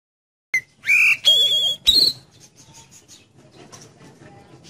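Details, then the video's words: Oriental magpie-robin song played to prompt a kept magpie-robin to sing: a short burst of loud, clear whistled notes, some rising and some sliding, then quiet with faint low background noise. "Siulan Kacer Penuh Energi Untuk Pancing Kacer Anda Jadi Cepat Buka Paruh"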